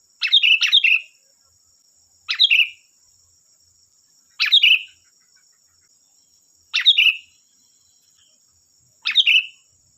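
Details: Sooty-headed bulbul song used as a lure to draw other bulbuls into answering: short bubbly chirping phrases, often doubled, repeated about every two seconds over a steady high electronic hum.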